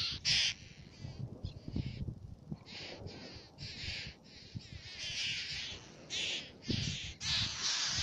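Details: Black-naped terns at Fares in Baa Atoll, Maldives, giving loud grating calls, repeated bursts with brief gaps between them, backed by low wind noise.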